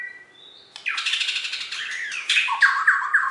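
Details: Caged Bornean white-rumped shama, a contest champion from West Kalimantan, pours out a dense run of varied phrases: a thin high whistle, then loud chattering rolls and three bright slurred notes at the end, in an indoor room.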